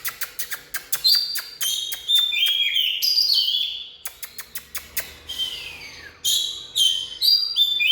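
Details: Oriental magpie-robin song: clear, varied whistled phrases, some sliding downward, interspersed with rapid sharp clicking notes; a quiet pause mid-phrase before more whistles and clicks resume.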